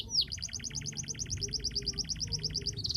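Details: Lively canary song meant to coax quiet canaries into singing, here one steady, very rapid trill of identical high notes repeated about six per second for the whole stretch, starting with a brief upward slur.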